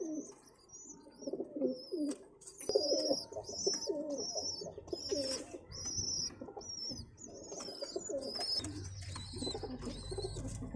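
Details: Pigeon chicks squeal in high, wavering notes repeated in quick succession while fed by adults, over lower gurgling coos and a faint hum near the end.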